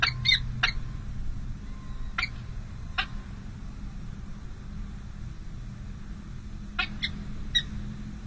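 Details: Peregrine falcons at the San José City Hall nest on 05/05/2022, during a difficult first feeding of two young chicks: short, sharp, high chipping calls in scattered bursts over a steady low traffic rumble.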